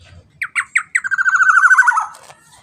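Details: Black-naped oriole, loud lure recording for stimulating birds to sing: four harsh, nasal squawks, then a rapid buzzy rattle of about fifteen pulses that slides slowly downward and ends abruptly; clean background.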